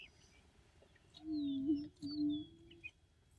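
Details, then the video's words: Booming of an Attwater's prairie-chicken, an endangered species of the Texas coastal prairie: a deep, hollow hoot broken into two parts by a brief dip, over roughly a second and a half, with thin high whistles from other birds. "Attwater's Prairie-Chicken booming"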